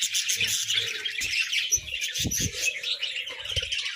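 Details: Many pet budgerigars squabbling over food, a dense continuous wash of high chirps and chatter with scattered squawks and low thumps.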